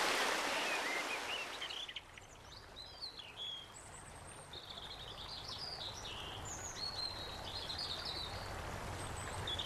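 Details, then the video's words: Female Indigo-banded kingfisher, a Philippine endemic, at a clear freshwater stream in Tiaong, Quezon province, Philippines, March 20, 2009, giving high, thin, squeaky whistled notes in irregular series over loud rushing stream noise. "Indigo-banded Kingfisher"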